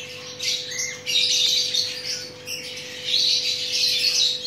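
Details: Chattering lory during mating, giving loud, harsh, grating screeches in two long bursts separated by a short quieter gap, with a steady faint hum underneath.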